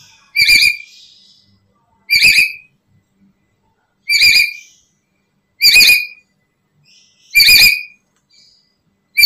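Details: Single loud whistled calls of a black-capped lory, used as a trapping lure and tutor sound for other lories, repeated roughly every one and a half seconds in an otherwise silent background.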